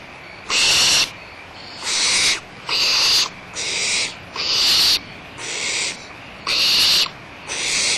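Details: Barn owls at Audubon Starr Ranch Sanctuary, 1 April 2011: harsh, breathy hissing screeches, each about half a second long, repeated roughly once a second in a steady series of eight, over a quiet background hiss.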